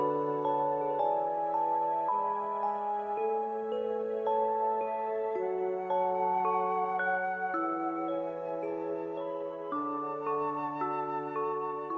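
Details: Soft, chiming mallet-percussion music plays steadily in sustained, layered tones, with no birdsong or other animal sound audible.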